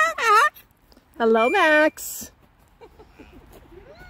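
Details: A pet Moluccan cockatoo out at a park in summer gives two loud, drawn-out harmonic squawks, the second wavering, as part of its joyful greeting sounds, followed by quieter human chatter.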